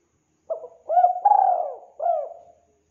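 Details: Spotted dove cooing, used as a lure for trapping: a clear low cooing phrase of four notes, a short coo, two rising-falling coos and a longer drawn note, in a clean quiet recording.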